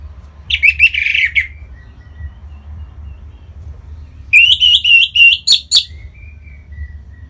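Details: Orange-headed thrush, a kept bird from Singaraja in North Bali, singing to prompt other birds to sing: a burst of bright, slurred whistled phrases, a pause with faint soft whistles, then a second rapid run of warbled notes.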